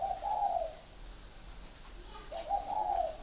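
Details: Two soft, burry coos from a caged spotted dove, one at the start and one near the end, each a brief rising note followed by a level, slightly trembling tone.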